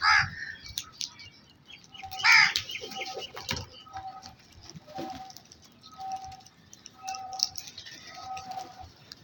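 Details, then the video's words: Crows calling: a loud harsh burst early on, then a series of short, harmonic, level-pitched notes spaced roughly a second apart, with faint chirps of other birds and light background noise. "Crows World"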